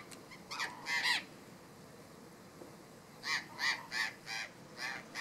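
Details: Burrowing Parrot (Cyanoliseus patagonus conlara) giving harsh, raucous screeches in quick bursts, a pair of calls, a pause, then a run of five or six evenly spaced squawks.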